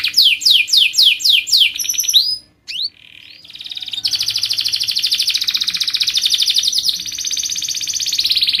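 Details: Canary in full song to draw other canaries into singing: a run of loud repeated down-slurred whistles, a short break, then an extended fast buzzy trill lasting over four seconds.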